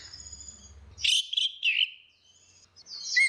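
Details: Orange-headed thrush, female versus male, in lure ngeplong song; a low hum fades out before loud rich warbled phrases, a short gap, then a sharp high whistle.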